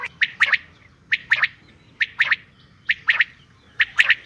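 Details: Calls of a female common quail, sharp three-note phrases of quick clipped notes repeating steadily about once every second, with soft low background noise throughout.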